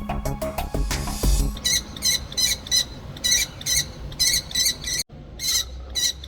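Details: A female common kestrel nesting at an apartment building in breeding season gives shrill, harsh calls in quick bursts of several notes, briefly pausing between bursts; the calls signal the male to bring food. Music plays at the start.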